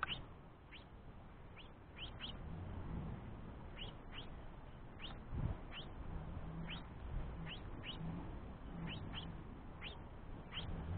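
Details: Young house finch pestering its father for food while the mother rests: thin, high, upward-sweeping cheeps, single or in quick pairs, repeated every second or so over a low, steady rumble.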